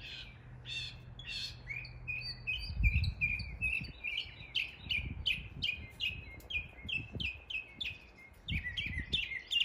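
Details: Northern mockingbird imitating neighborhood birds in East Tennessee: long rapid string of crisp downslurred chirps repeated several times a second, with low thumps and rustling beneath.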